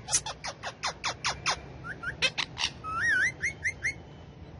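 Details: Tame male rose-ringed parakeet kept among several parrots: a rapid series of sharp descending chips about five per second, then warbling wavering whistles and short upward notes.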